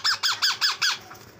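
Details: Young parrot that is refusing food gives five harsh, rasping squawks in a fast even series, each under a fifth of a second, with a brief quiet tail afterward.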